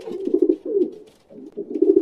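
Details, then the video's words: Pigeon cooing, a throaty "kur pur" sound from the throat, typically given from house terraces and towers in cities like Chennai: low, rolling phrases in two bursts with a short gap. "இது புறாவோட சத்தம்."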